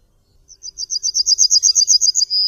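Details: Yellowhammer starting its song with soft notes that quickly grow into a loud, fast series of high buzzy chirps, just reaching the long final note.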